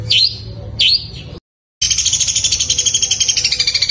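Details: Sparrow-voiced long-tailed shrike in fighting style: two sharp, squeaky swooping chirps, a brief silence, then a continuous rapid buzzy rattle of rhythmic pulses.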